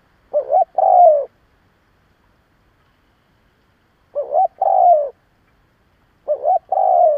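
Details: Lure spotted dove calling to incite rival doves, three phrases: a quick undulating note pair followed by a smooth, gradually lowering coo, repeated every two to three seconds in silence.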